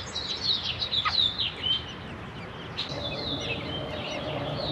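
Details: Four American robin chicks in a nest, three about 2-3 days old and one slightly older, being fed in turns by mother and father; thin high chirps and squeaks cluster in the first second and a half, with softer twittering afterwards.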